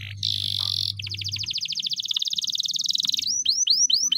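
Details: Canary keyed up before a singing competition: a long harsh buzz, then a rapid descending trill of many notes, ending in a series of repeated rising whistled slurs.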